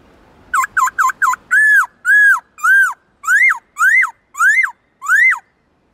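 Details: Black-throated laughingthrush singing in varied voices: four rapid short notes over faint background hum, then a series of clear arched whistles repeated roughly every half second, shifting to rising-then-falling phrases.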